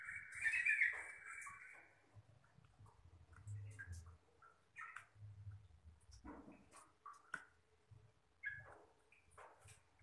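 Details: An Oriental magpie-robin calling to provoke other magpie-robins opens with a loud, sustained whistled phrase, then scattered short chirps and varied whistles, over a low rumbling background.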